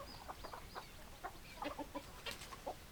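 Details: Hens clucking in quick bursts of short throaty notes, some in tight repeated runs, with thin high squeaky calls at the start and a sharp burst later.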